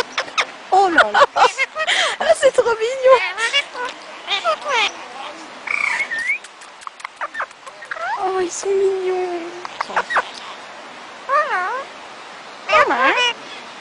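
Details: Two pet Indian ring-necked parakeets that can speak some words, chattering with harsh squawks, clicks and looping whistled notes that rise and fall, in dense bursts with short pauses throughout.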